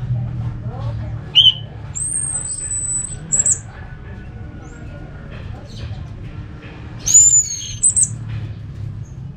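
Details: Orange-headed thrush, recorded in Singaraja, North Bali, used to spur other thrushes into song: sparse phrases with a long thin high whistle held level, separated by pauses, then a second thin whistle and chip, with low background rumble.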